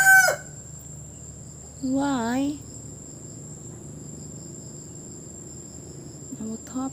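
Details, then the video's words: A rooster perched on a roof crows once: a single harsh cock-a-doodle-doo lasting under a second. A steady high whine continues throughout, and a short chirping sound is heard at the very start and again near the end. "Singing Rooster"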